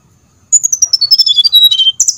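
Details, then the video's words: Brown-chested jungle flycatcher singing as a lure to get other birds to respond: a quick, continuous run of high whistled and chattering notes, gradually stepping downward before a final bright high flourish. "pancingan srdc biar bunyi, sikatan"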